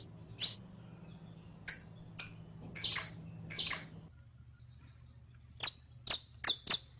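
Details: Saffron finch (canario criollo) song used as a tutor recording to teach captive birds to sing: scattered sharp, very high chip notes, some doubled, over a low hum that stops halfway through, then a quicker run of chips.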